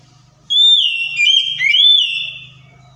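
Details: White-rumped shama song used to provoke a silent bird into answering: a loud, pure whistled phrase of long level notes near the top of the range, gliding downward, then rising again, with a faint low hum beneath.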